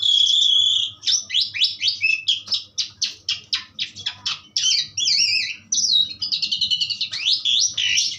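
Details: Asian pied starling singing: a long varied stream of loud whistled and chattering notes, quick rising and falling sweeps, harsh rasping bursts and clear wavering whistles, delivered in rapid irregular phrases with little background noise.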